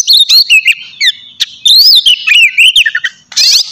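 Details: Morning song of an Oriental magpie-robin (kacer), ngeplong style, used as a lure to spur singing. Quick chips lead into long wavering whistles that slide up and down, ending in a brief buzzy rattle.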